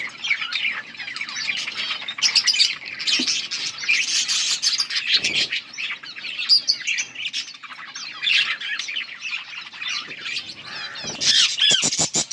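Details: Yellow budgerigars on August 18, 2024 keep up a busy twittering chorus, scratchy warbles mixed with thin squeaks and clicks, ending with rapid ticking notes.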